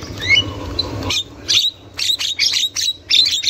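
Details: Javan myna, wild female chattering, used to lure young birds: a couple of falling whistles, then a quick series of five or six short harsh squawks about half a second apart.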